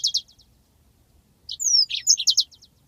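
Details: Yellow-fronted canary, long rolling master song for bird training: a brief fast trill ending, a pause, then bright whistled slurs and quick chipping notes building into a new phrase.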